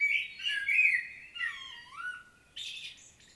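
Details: Common blackbird solo from Świnoujście, Poland, recorded 25 September 2022: rich mellow fluted phrases that slide down and back up, closing with a short high scratchy flourish.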